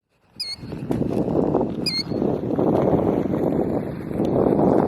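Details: Killdeer protecting its nest at Iona Beach, Richmond, BC, Canada, giving two sharp, high, slightly downslurred notes about a second and a half apart, over a steady roar of wind and surf.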